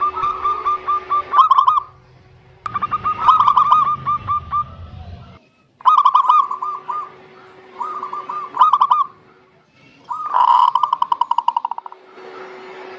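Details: Local zebra dove song used as a singing prompt for quiet doves: repeated phrases of quick cooing notes, ending in a dense rattling coo run, over intermittent low rumbling and a steady hum.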